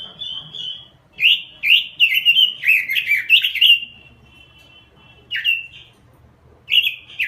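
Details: Robin singing vigorously: loud, clear whistled and warbled phrases, a dense burst from about one to four seconds, then short isolated phrases after pauses, with some scratchy notes between the whistles.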